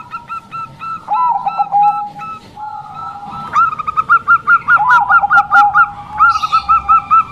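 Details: Bangkok-type zebra dove singing actively: clear repeated coo notes with a rising lilt, several overlapping series in quick succession, some lower hooked notes beneath, with faint clicks in the background.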